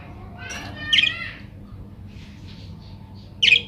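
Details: Budgerigar calling, played to prompt other budgerigars to respond and sing. A short buzzy warbled phrase rises into a sharp squawk, then faint chirps follow and a second loud harsh squawk ends the sequence, with a low background hum.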